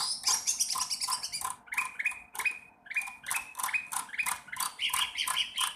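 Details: Sooty-headed bulbul practising its song: dense harsh chatter at first, then jerky upslurred notes in quick succession broken by raspy bursts.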